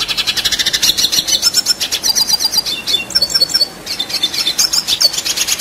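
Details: Long-duration 'gacor ngerol' song of a red siskin: dense, rapid, high chattering trills pulsing several times a second, with brief whistled slurs mixed in, barely pausing throughout.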